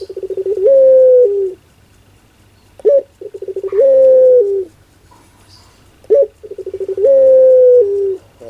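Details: Barbary dove repeating its 'pelung' coo three times at regular intervals, each a sharp rising note, then a rattle of quick pulses and a long held tone, roughly every three seconds.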